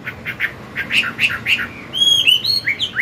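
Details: Chinese hwamei singing at morning in wild forest voice to train a young bird; a quick run of short clipped notes followed by clear ringing whistles that rise and fall in pitch.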